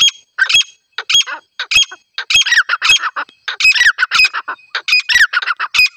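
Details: Desi titar, a grey francolin female, gives the call used for hunting in rural surroundings: loud rasping squawks in uneven runs, some notes doubled, with short silent gaps, continuing throughout.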